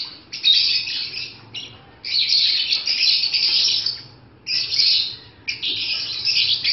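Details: Four separate bursts of shrill, scratchy chatter from pet African lovebirds during breeding season, each lasting one to two seconds, divided by short quiet gaps.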